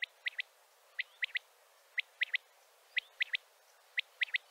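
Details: Male common quail calling to bring other quails together: five sharp three-note phrases in a steady rhythm, one per second, each an opening note followed by a quick double, over a faint hiss.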